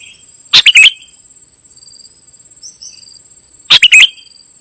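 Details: Busy, mimicry-filled golden-fronted leafbird song: two brief bursts of harsh, rattling chatter about three seconds apart against a continuous thin high hiss.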